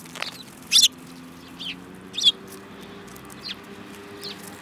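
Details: Sparrows in a group, one with a yellow beak, recorded 25 February 2018: a few sharp, high chirps, two louder ones near the start, over constant low hum.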